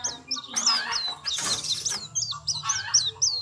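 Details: White-eye giving a busy run of high, thin chirps and short twittering notes, with a burst of broad rustling noise in the middle of the passage.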